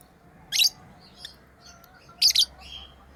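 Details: Pet lovebirds at play, two sharp high chirp bursts about a second and a half apart over quiet background.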